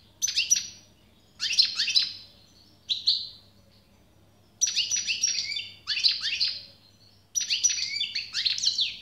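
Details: European goldfinch song in bursts: bright twittering, tinkling phrases of rapid descending notes separated by short pauses, a faint low hum beneath.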